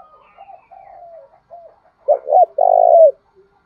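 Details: Spotted dove used as a decoy to provoke wild birds into calling back: a loud cooing phrase of two short rising notes followed by a longer sustained coo, preceded by softer, quieter coos.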